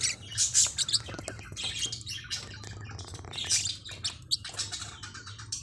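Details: Forpus parrotlets, small hook-billed parrots, giving rapid high chirps and short squeaky calls in bursts over a low steady background hum.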